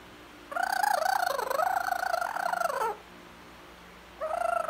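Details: Talking blue-fronted amazon parrot: one long, harmonically rich, speech-like phrase of about two and a half seconds with wobbling pitch that dips in the middle. After a pause, a shorter phrase begins.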